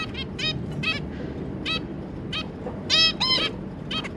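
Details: Two adult zebra finches and their three juveniles, 25 July 2022: a brisk series of short, nasal, harmonically rich beeps, some overlapping near the end, over a constant low room hum.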